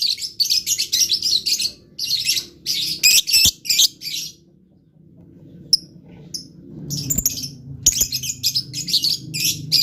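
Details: Blue lovebird chattering intensely, with rapid strings of shrill, buzzy high chirps tumbling together, a short lull, then renewed fast twittering over a low rumbling background.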